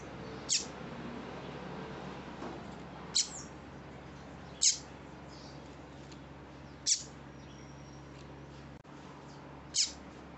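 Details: Double-collared seedeater female call meant to excite males: five thin, sharp chirps at irregular intervals of two to three seconds, against a low constant hum.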